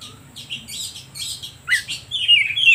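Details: Oriental magpie-robin song meant to stir other birds into singing, with scratchy high chatters, a sharp rising note and a closing run of loud, high warbled whistles.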